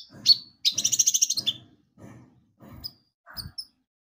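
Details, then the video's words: Javan white-eye song played as a lure to make birds sing: high chirps and a fast trilled phrase near the start, then soft scattered notes over low background rumble. "Pancingan Kicau burung konin gacor"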